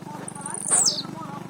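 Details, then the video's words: Blue-black grassquit singing a lot, giving one brief, high buzzy note that slides downward, over a low steady hum and faint background voices. "tiziu cantando muito"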